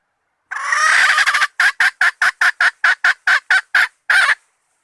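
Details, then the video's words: Call of a hen used as bait: an opening drawn, nasal note of about a second, followed by some eleven clipped, harsh clucks at a steady clip and a slightly longer final squawk. "latest hen standard bait"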